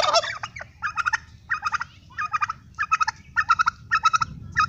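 A turkey gobbles in fast rattling bursts, each a quick burble of throaty notes, repeated roughly every half second with short pauses between.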